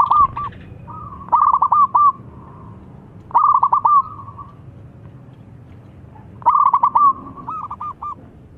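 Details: Local zebra dove in top calling form, challenging rivals to answer: three bursts of quick, bubbling cooed notes, each phrase about a second long, separated by pauses of roughly two seconds.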